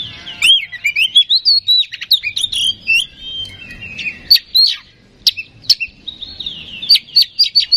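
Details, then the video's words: Lure recording of oriental magpie-robin (kacer) to provoke singing: varied whistled phrases with slurred upswept notes, sharp high ticks, and a closing series of quick repeated chips, over a quiet background. "Suara Pancingan Kacer Agar Cepat Emosi Gacor"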